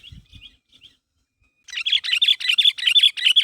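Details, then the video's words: Sooty-headed bulbul (kutilang) calling to prompt other birds to answer: faint short whistles, then a loud fast run of repeated bubbly chirps, about two and a half per second. "Suara Burung Kutilang Gacor Memanggil Temannya Agar Bunyi"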